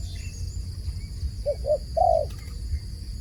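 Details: Dove calling: one phrase of two short, soft cooing notes followed by a longer, drawn-out coo, over a steady low rumble and faint high hiss.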